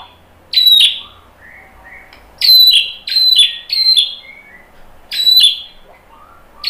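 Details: White-rumped shama song meant to make other birds sing back: crisp high falling whistles in quick groups, separated by faint soft warbling notes.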